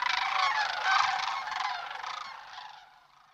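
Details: Sandhill cranes passing through the Platte River Valley of Nebraska on a March 18 morning; a dense, continuous chorus of rattling calls from a large flock, slowly fading away.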